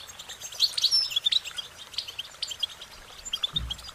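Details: Goldfinches singing softly: thin high chirps and twitters, denser in the first second and a half and then sparser, against a faint hiss with a brief low thump at the end.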